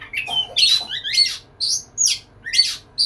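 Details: Male white-rumped shama wooing a female, giving short harsh, buzzy bursts mixed with thin whistles, spaced about every half second, with pauses between.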